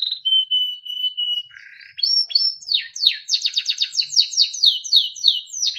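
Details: Small yellow Timbrado canary sings for training: a long level whistled note, a lower buzzy segment, then swooping upslurs and a fast series of bright repeated downward notes, clear and uninterrupted.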